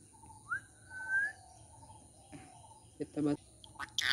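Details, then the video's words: A talking rose-ringed parakeet gives a rising whistle and a drawn-out whistled note, then short speech-like syllables (Sinhala talk) and a harsh squawk at the end. "talking ringneck parrot"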